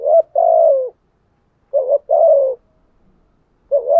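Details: Decoy spotted dove, used to draw in wild doves, delivers brisk two-part coos. A wavering lead note is followed by a longer low coo easing downward. Phrases come roughly every two seconds in quiet surroundings.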